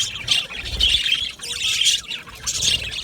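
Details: Colony of budgerigars kept in an aviary, bright high chirps and squawky notes in bursts roughly every half second to one second, several birds overlapping.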